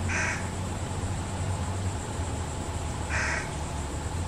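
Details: Fish crows, a lone fledgling being fed by its parents: two short nasal calls about three seconds apart, separated by quiet, over a steady low mechanical hum.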